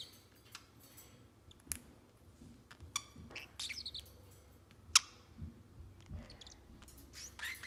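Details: Indoor male Pacific Parrotlet, seven months old, makes scattered high chirps, clicks and brief squeaky notes spread over several seconds, with soft room noise between them.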